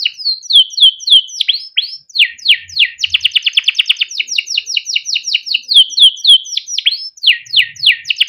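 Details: Caged male canary in full, long-running ngerol song used as a training recording: repeated downward-sweeping chirps, bursts of very fast rattling trills, and more falling whistled notes, loud and continuous.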